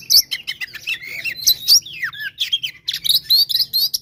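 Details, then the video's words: Fighting song of an oriental magpie-robin meant to provoke rival birds: continuous rich medley of sharp whistles, slurred descending notes and chattering phrases with barely a break, over a steady low hum. "SUARA BURUNG KACER GACOR TARUNG KONSLET"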